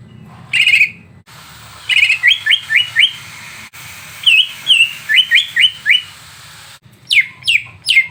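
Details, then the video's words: Greater green leafbird recording meant to rouse another bird: chattering note, then a run of five rising whistled slurs, a varied whistled series, and closing steep falling sweeps, over low hum. "Masteran untuk cucak ijo biar terpancing emosi"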